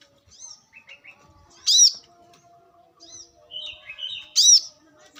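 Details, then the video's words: Wild brown-throated sunbird, recorded in nature for luring and training birds: sharp, bright arched chirps stand out twice among softer high twitters and short whistled notes, with quiet gaps between them. "kolibri kelapa | manggar | wiceh | pancingan korlap dengan suara asli alam liar gacor"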